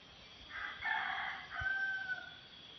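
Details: Crowing red junglefowl challenging a decoy rooster at a swamp-edge clearing: one coarse, loud first part and a long, thin, trailing final note, with a steady insect hum behind.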